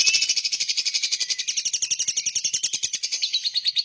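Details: Lovebird singing a long, continuous rapid trill of high, buzzy chattering notes, pulsing steadily about nine times per second throughout.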